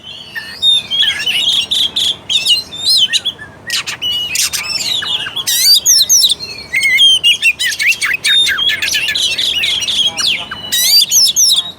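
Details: Oriental magpie-robin lure song for waking up a quiet, unaggressive kacer: long busy stretch of varied whistles, chips, harsh rattles and swooping slurred notes, nearly continuous, with a brief lull around four seconds.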